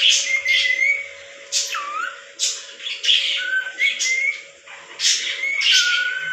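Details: A pet lorikeet parrot, described as talking, makes chattering sounds: short level whistles, brief upward and downward slurs, and harsh squawky bursts repeated every second or so, with a faint steady hum underneath.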